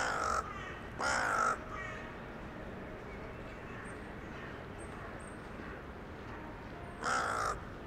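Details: Crow of a town centre, evening of 23 January 2021, communicating with others arriving for the night: two quick rough caws a second apart, a long pause with soft urban noise, then one more caw.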